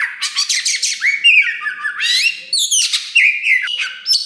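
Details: Caged Oriental magpie-robin, wulung type, in loud full song meant to excite other birds; rapid stuttering buzzy notes give way to upward-sweeping whistles and twittering trills, phrases following one another closely.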